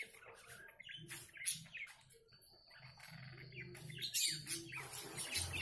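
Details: A budgerigar that is soliciting mating again and again chatters in rapid, scratchy chirps and warbles, with one steady high whistle held for over a second, over a low background hum.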